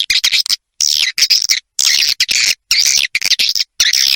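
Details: Shrill buzzy swiftlet twittering in bursts of about half a second, split by short silences, from a 'ratu birahi' roosting lure call played to bring swiftlets to roost.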